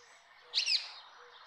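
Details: Rose-ringed parakeet giving one brief, loud, harsh screech over a steady background of mixed bird chatter and faint low whistles.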